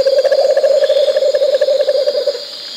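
A rufous-capped motmot sings a low, quavering hoot that trembles steadily for about two seconds.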